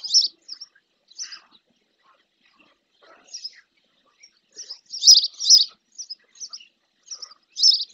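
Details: Female spotless starling bathing near its nest in a lagoon at El Rocío, Doñana National Park, Spain; scattered high chirps with gaps, building to a loud double chirp and a few closing notes.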